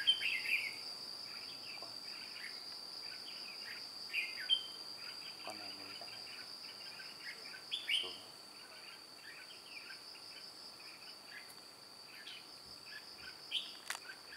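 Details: Red-whiskered bulbul decoy, white-cheeked, luring wild birds toward a trap on 2 July 2018. Long stretch of busy chirping and whistled phrases, louder near the start and around the middle, quieter later, beneath a continuous high insect hum.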